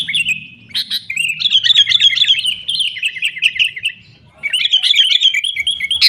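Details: Sooty-headed bulbul chatter played as a lure to get caged bulbuls singing: rapid, bright chirped notes in dense runs, a short pause near four seconds, then another busy burst of quick twittering.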